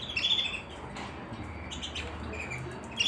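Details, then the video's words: Canary song from a white canary, a cluster of quick high chirps at the start, then quieter scattered notes before a final sharp chirp, with a steady low hum beneath. "canary singing | white canary | canary sounds | canaries | canary song | canary singing training"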